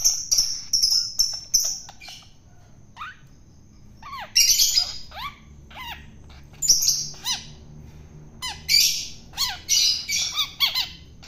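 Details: Long-tailed shrike taken from the wild and fed by hand for taming, giving a buzzy note series, then sharp downward-slurred chips mixed with rough rasping bursts, with a faint constant high whine behind.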